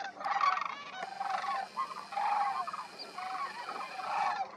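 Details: Many sandhill cranes at Pixley National Wildlife Area, California, in December, with birds landing among a ground flock: a softer, more distant chorus of rolling, rattling calls in loose pulses about every second.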